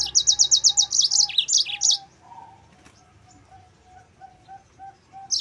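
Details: Yellow-fronted canary in full song, recorded as a lure and master track for other songbirds: a fast run of about ten high, sharp chirps, then tumbling lower notes, followed by quiet with a soft, steady repeated tone.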